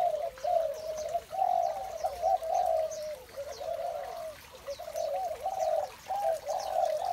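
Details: Spotted doves calling in the morning, their soft, throaty coos rising and falling in overlapping bursts with brief lulls, and faint high chirps from small birds behind.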